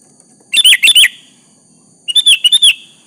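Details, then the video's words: Sooty-headed bulbul calling a rival, two phrases of chirpy whistles: first three loud slurred notes, then a softer run of four to five quick, even notes. "Suara Burung kutilang Gacor memanggil lawan Pancingan kutilang agar bunyi nyaut"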